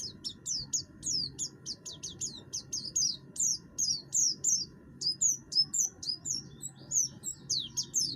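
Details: Oriental white-eye (buxtoni) in vigorous song, its coarse voice used as a lure to set other birds singing: a long stream of rapid, high down-slurred chips and twitters, grouped in short bursts, hum behind.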